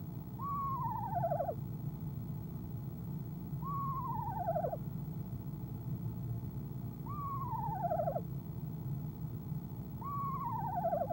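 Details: Trilling female eastern screech owl at a nest box, 25 January 2015, evening before departure; four tremulous whinnies, each sliding downward, spaced roughly three seconds apart against constant low-pitched background noise.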